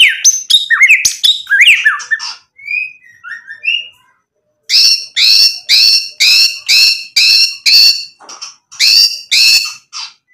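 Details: Actively singing white-rumped shama rich in mimicked fill material, used to goad rival birds into replying: rapid tumbling varied whistles and squeaks, a short gap, then a steady series of identical sharp chattering notes repeated roughly twice per second.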